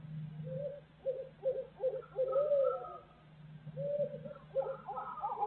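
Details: Barred owls in Midtown Tulsa, a series of mid-pitched hooting and cackling notes in rhythmic groups, rising and wavering, with a brief pause midway before more calls; faint low hum underneath.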